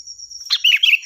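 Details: Kutilang, the sooty-headed bulbul, singing loud and clear for training other songbirds: one quick bubbly phrase of warbled notes under a constant thin high-pitched hum.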